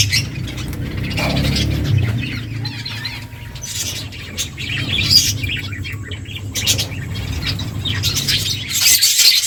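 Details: Finches chirping while eating: scattered high, sharp chirps and clicky pecking noises over a steady low hum, with a brief thin whistle near the middle.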